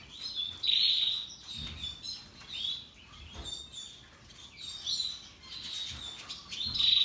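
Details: Several Russian yellow and Timbrado canaries singing; short bright trills and chirped bursts alternate with quieter gaps, a few sharp whistled notes standing out, plus faint low rustling.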